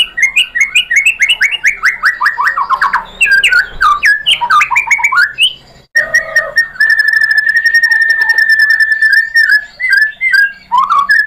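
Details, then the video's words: Song of a white-rumped shama, played to provoke other birds into singing: a rapid falling series of whistled notes, jumbled fluty phrases, then a long steady rattling note and a closing upslurred whistle. "SUARA MURAI BATU AMPUH ‼️ bikin NYAUT GACOR"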